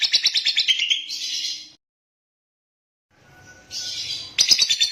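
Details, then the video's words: Bursts of high, buzzy lovebird chatter broken by more than a second of silence, then harsh chirps resume, the last notes loud and sharp. "Love bird jernih durasi panjang"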